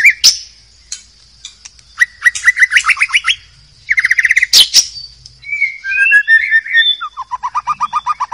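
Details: White-rumped shama singing in the wild forest: a rich, varied song of fast repeated note series, quick rising trills, sharp clicks and clear whistled phrases, shifting every second or so, over a steady high-pitched background hiss.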